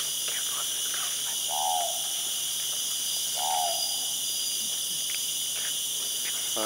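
Two hoarse, slightly falling owl notes about two seconds apart, over a steady high hiss of insects.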